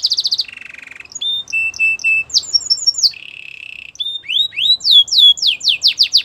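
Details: Belgian canary singing a varied, high song: rapid pulsed notes, a steady buzzy roll, clear whistled notes repeated in a row, then a series of fast descending sweeping notes.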